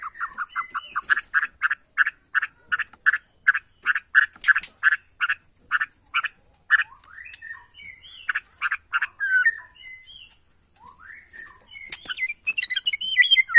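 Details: White-rumped shama of the Borneo form, agitated and answering a lure recording within seconds: a fast run of about twenty short harsh repeated notes, then scattered chattering phrases and a burst of higher twittering at the end.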